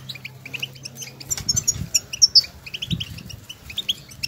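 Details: Wild European goldfinches calling to one another, scattered high twittering notes and a few louder squeaky trills, with soft low thumps and rustling.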